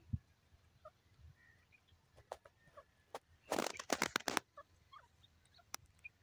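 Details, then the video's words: Captive francolin (teetar) giving a loud burst of harsh, rapid notes near the middle, framed by fainter scattered chirps and clicks. "my teetar birds beautifull awaz"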